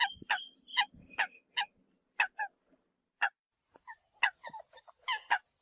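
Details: Eurasian coot decoy recording: scattered nasal honks and a few squeaky notes, a low rumble and thumps under the first seconds, calls spaced unevenly.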